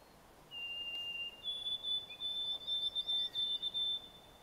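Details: White-throated Sparrow song in Canada: a clear, pure whistle followed by a higher sustained whistle that breaks into quick, wavering repeated notes; a crow, a possible yellow warbler and another warbler call faintly behind it.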